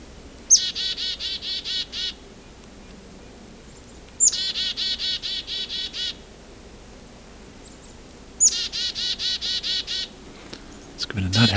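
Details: Red-breasted Nuthatch, in winter on the Bruce Peninsula, Ontario, gives three quick bursts of nasal, tinny notes, each a sharp high note then about a dozen rapid beeps, one bird calling in a second; a rustle at the end.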